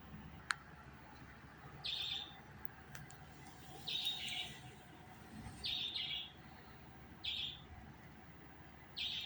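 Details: Budgerigar giving short, buzzy, harsh chirps at a steady high pitch, one every one to two seconds, five in all, over a low steady background hum and a single sharp click near the start.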